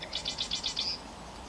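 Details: A tiny Marsh Wren in spring marsh reeds in Vancouver, BC, perched on top, gives a quick, high chattering run of about eight dry notes in under a second, ending in a thin buzz, over faint background hiss.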